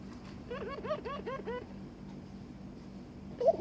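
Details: [1, 'Barbary dove coo']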